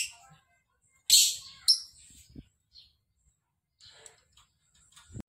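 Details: Lovebird calling: two loud, harsh, high chirps in quick succession, then fainter chatter and a few low knocks.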